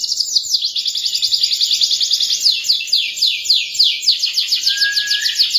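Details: Canary song used as a training recording for young canaries: a continuous, rapid, rolling high trill of repeated chirped notes, with a brief lower whistled note near the end.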